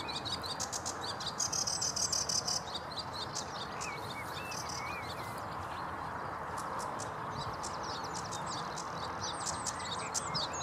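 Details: Sedge warbler song recorded 7 May 2016 at Vange Marsh RSPB, a long, varied chatter of scratchy clicks, a brief high trill and twisting whistled notes, loudest early then thinning out, with steady noise behind.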